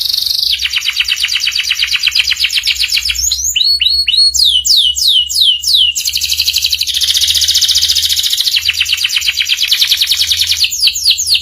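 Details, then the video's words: Long varied master song of a canary, ngeriwik style, for teaching young canaries: changing phrases of rapid trills, downward-swooping notes and dense buzzy rolls following one another without pause. "PANCINGAN SUARA KENARI PAUD CEPAT BELAJAR BUNYI NGERIWIK || MASTERAN KENARI PAUD"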